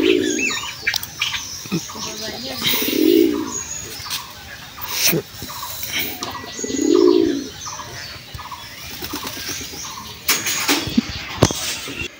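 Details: A male domestic pigeon, paired with a female that is laying eggs, gives deep, rolling coos in bouts every few seconds, with some wing flaps.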